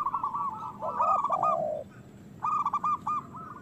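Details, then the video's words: Local zebra doves in vigorous song, used as a lure to encourage quiet birds to sing and breed. Fast stuttering coos and a lower falling coo are followed by a short pause, then another burst of quick rolling notes. "Perkutut lokal gacor Suara Besar Pancingan Birahi Cepat Bunyi"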